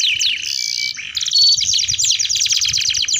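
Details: Canary, a singing bird used to coax young canaries into learning song: varied phrases, a clear whistle, a low buzzy note, then a fast run of sharp repeated chirps, loud and close.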